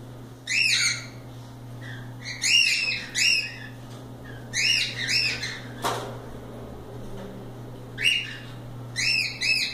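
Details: Free-roaming cockatiels having fun give clusters of loud arched chirps separated by pauses of a second or more, with a sharp knock midway and a low electrical hum.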